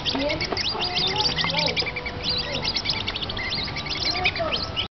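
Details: A flock of spotted whistling ducks (Dendrocygna guttata) at Singapore Zoo gives a constant chorus of thin, high, quick peeps and short whistles, several birds overlapping, with a faint low murmur underneath.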